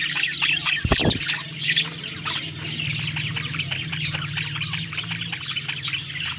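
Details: Budgies singing happily as they eat: rapid, irregular high chirps and squeaky warbling from several birds, with a brief low thump near the start and a steady low hum behind.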